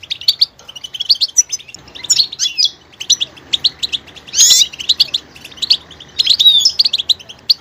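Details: Goldfinch mixing its song, with quick twittering phrases, a sudden harsh broadband burst midway, then more bright, varied chattering notes.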